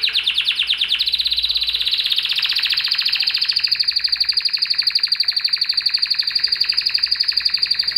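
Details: A Spanish Timbrado canary holds one continuous rolling trill for eight seconds. It is fast, even and metallic, with pulses steadily repeated and the pitch drifting slightly upward midway.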